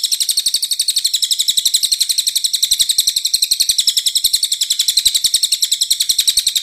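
A cililin gives a fast, steady run of thin, high chips, close to four notes a second, with no other sounds.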